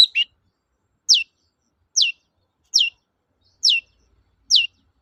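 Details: Long-tailed shrike song for coaxing reluctant shrikes into singing, 'toet-toet' style: after an opening chirp, a series of sharp high downward-sweeping notes repeated about once a second on a quiet background.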